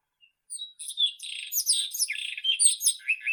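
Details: A White-throated robin, Irania gutturalis, singing a lively, jumbled phrase: a thin opening whistle, then fast chattering, squeaky and warbled notes running together, dropping slightly toward the end.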